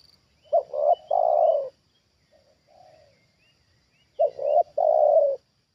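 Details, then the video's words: Spotted dove used as a trained decoy, calling at a wild bird lured down for the second time; two low cooing phrases, each a stuttered double note and a long falling coo, with soft notes between and faint high chirps. "Inilah Reaksi Tekukur Ajaran Di Turunin Burung Liar Untuk Kedua Kalinya"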